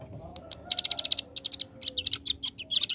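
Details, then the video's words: Ciblek gunung (hill prinia) giving a 'ngebren' AK47 rattle: fast evenly spaced high chips in clusters of four to six, separated by brief pauses, over a quiet background hum. "Ciblek Gunung Paud Gacor Ngebren Ak47"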